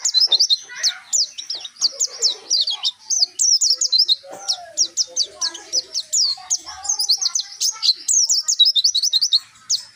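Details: White-eye of the Dakun type from Pacitan, nembak singing with mantenan and zipper witwit: ten seconds of nearly continuous high, twisting chirps in fast bursts, with faint lower chatter in the background.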